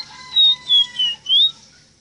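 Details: Ruddy-breasted seedeater song, locally called rosita or meriño, used as a tutor recording for teaching captive birds to sing: four clear, high whistled notes, each slightly sliding, separated by short pauses, over quiet background.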